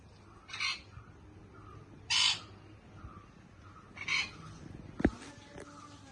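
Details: Baby sun conure parrot giving three harsh, raspy squawks spaced about one and a half seconds apart, with a sharp knock near the end and low background hum.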